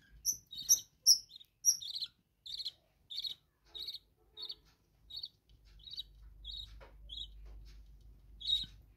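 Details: Budgerigars kept indoors in a bird room give a run of sharp, high chirps and whistles, loud at first, then softer notes about every half second over a faint low hum.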